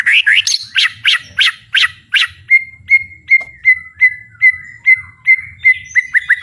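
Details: Full-volume singing from a White-rumped shama with fighting spirit: bright rising whistles give way to a crisp note repeated steadily about twice a second, ending in quick chips, over a low background hum.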